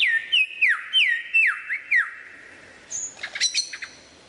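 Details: Lyrebird imitating other birds: a run of six loud whistles that slide downward, about three per second, then a brief high whistle and a cluster of sharp chipping notes.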